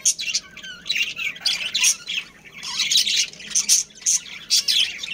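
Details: A family of budgerigars, including a breeding pair, trade sharp squawks and high chirps in clustered bursts. The bursts are separated by short, quieter gaps.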